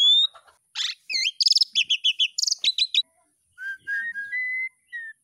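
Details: Asian pied starling song used as a daily training lure for young birds learning to sing: harsh buzzy notes, a quick run of repeated chirps, then several clear, level whistles.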